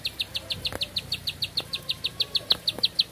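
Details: Bar-winged prinia delivering one continuous song: rapid, even chain of piercing high chips at about five per second, with light low clicking noises underneath.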